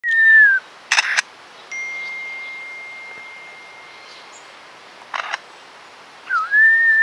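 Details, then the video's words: Wild lyrebird, a male performing his repertoire: clear whistled notes sliding downward at the start and rising at the end, two short noisy bursts between, a long thin steady tone, and quiet gaps. "lyrebirds repertoire as he puts on a show for me"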